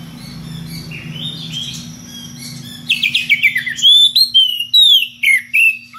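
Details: Magpie-robin, kacer ngeplong, summoning a rival: soft background warbling first, then loud ringing whistled notes, each a quick downward slide, repeated roughly every half second over a low hum.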